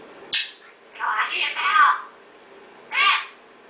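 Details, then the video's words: A talking parrot utters a short harsh note, then a longer, wavering, voice-like phrase about one second long, and after a pause a single rough squawk. "talking parrot"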